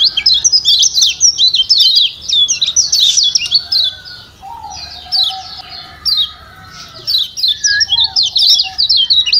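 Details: Lombok yellow white-eye, a cage bird, giving fast excited twittering used to prompt silent birds to sing: dense bursts of high chirps with a short pause midway, lower whistles from other birds beneath.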